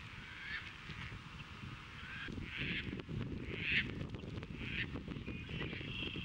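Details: On Montrose Beach in Chicago, April 22, 2024, courting Caspian terns catch fish, present them to would-be mates and mate; coarse, scratchy screams sound several times in the second half over continuous low rumbling.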